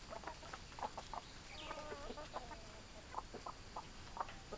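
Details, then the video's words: Several hens cluck at once in short, irregular clucks and low murmurs, with a drawn-out, wavering cackle in the middle. "Chicken Sounds Noises Hens Clucking"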